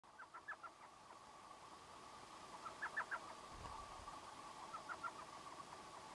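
Elf owl giving short bursts of three to five quick, yelping notes, repeated every two seconds or so, over a steady background hum.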